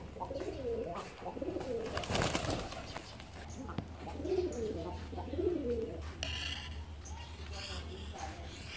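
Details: Pigeons kept by a keeper give soft, low, rolling coos in two bursts of several notes each. There is a brief clatter of handling noise early on, and a higher bleating sound follows near the end.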